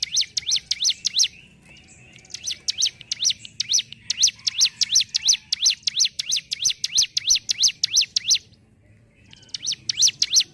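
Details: Hill prinia (ciblek gunung) singing actively in the ngentrok style: rapid series of sharp, dipping-and-rising chirps, about three per second, in long runs broken by short pauses.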